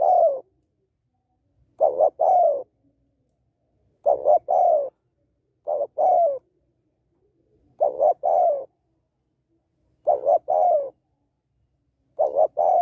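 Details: A female spotted dove repeats her male-stimulating coo about seven times, roughly every two seconds: a hurried double note followed by a fuller, gently falling coo, steady and mellow against a quiet backdrop.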